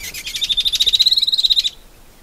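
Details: Wild shining sunbird, Cinnyris habessinicus, in arid African or Arabian scrub: a loud, rapid, even trill of high pulsed notes lasting about a second and a half, then quiet.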